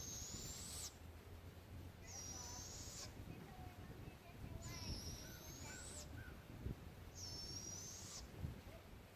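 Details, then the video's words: Two baby barred owls in The Villages, Florida give long, high, hissing screeches, each about a second, repeated every two seconds over a low steady rumble. "you can at least hear the sounds of 2 baby barred owls"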